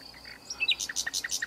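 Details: Nightingale song fragment from a bush in the south of France, a rapid jumble of varied chirps and clicks rising and falling in pitch, set against steady insect buzzing.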